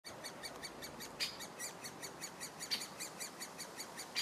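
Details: At Lindgårdsskogen, Haga, on 14 June 2017, Great spotted woodpecker nestlings begging for food keep up a fast, ticking chatter. About every one and a half seconds a warning parent cuts in with a sharp, loud alarm note.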